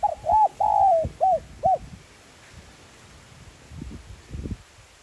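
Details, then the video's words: Spotted dove, 'giọng son' voice, cooing to rouse decoy birds: a quick phrase of a hooked coo, a longer drawn falling note and two short clipped coos, then quiet with faint low thumps. "Cu gáy GIỌNG SON Gáy Gọi + Thúc kích bổi nhanh nổi|Tiếng cu đất gáy kích mồi tập bổi hiệu quả"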